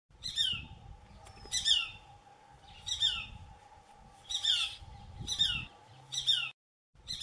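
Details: Shikra calling at a farm in Kalwar, Jaipur: loud, harsh, high two-part notes with a falling tail, repeated about every 1.2 seconds, over a steady low hum and faint background rumble.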